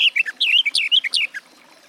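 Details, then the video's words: Garden warbler (Sylvia borin), a short snatch of song: about a dozen quick, sweet, slurred notes that rise and fall, ending abruptly after just over a second, then quiet. "Warbler garden, birdsong"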